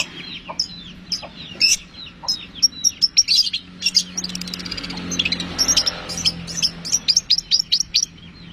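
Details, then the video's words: Long-tailed shrike in excited song, played to prompt other shrikes to sing: rapid scratchy chatter and sharp high notes in quick bursts, a louder rushed passage midway, constant low hum. "bisa dicoba buat pancingan | cendet kicau istimewa | cendet gacor"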